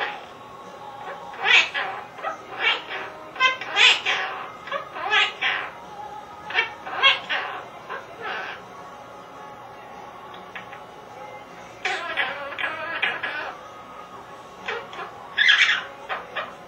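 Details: Pet Quaker (monk) parakeet talking, apparently saying "What's Spanky doing," in bursts of raspy, speech-like syllables with squeaky, high-pitched accents.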